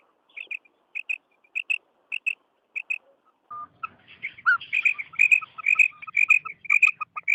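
A female quail gives high, clipped paired notes about twice a second. The notes then speed into a busier run of sharp chirps with lower squeaky notes mixed in.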